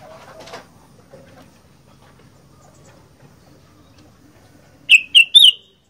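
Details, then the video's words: Sooty-headed bulbul in fighter-style singing, quiet at first with soft rustling and low murmurs, then bursting into three loud, clear, bubbly notes in fast succession near the end. "Burung Kutilang Gacor Fighter"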